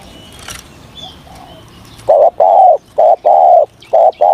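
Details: Spotted dove practising its voice in the morning. Faint background chirps give way to a strong series of low hollow coos, paired short and long, repeated rhythmically.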